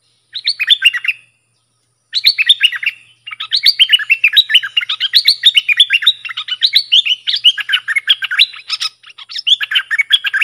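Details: Bulbul worked up against rival wild birds pours out long strings of rapid, bubbling whistled notes after a short opening phrase, almost without pause for most of the recording.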